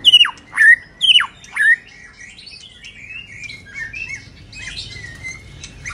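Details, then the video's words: White-rumped shama in moult: four loud, harsh, squawky notes dropping steeply in pitch, about two per second, followed by soft, scattered chattering twitters. "Choè lửa đang xuống lông kéo thuốc Lào phê tít"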